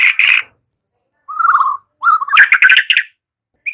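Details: Song of a white-rumped shama, played to train young birds to sing fully: a scratchy burst, then a mellow whistled warble, rising into a quick run of varied sharp notes.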